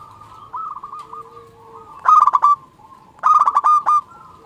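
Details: Zebra dove of a local strain singing, a recording meant to provoke other doves into replying: soft rolling coos at first, then two loud rapid stuttering phrases that end in a held coo, over a low background hum.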